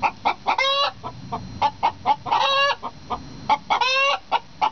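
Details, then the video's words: Hens bragging about an egg in a noisy duet egg song: clipped clucks repeated rapidly, with three long, harsh, drawn-out squawks rising out of the run of notes. "Egg Songs-A Hen Duet"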